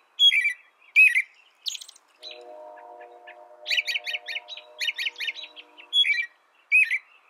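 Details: American robin singing short, clear caroled phrases that drop in pitch, separated by brief pauses, with thin high notes between them; a steady low droning hum runs beneath the middle of the passage.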